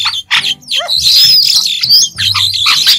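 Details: Continuous White-shouldered starling song: grating chatter overlaid with thin, high, rising whistles and a short descending run of notes near the start.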